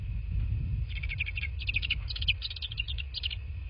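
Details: Bald eagle calling at its nest in southwest Florida at night, 22:40 on 03/02/2024, picked up by a nest camera: a run of high, rapid, squeaky chittering notes in clustered bursts over a steady low hum.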